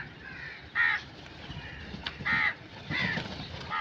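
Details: Crow calling with harsh, hoarse caws, three loud bursts spaced about three-quarters of a second apart, over a faint background hum.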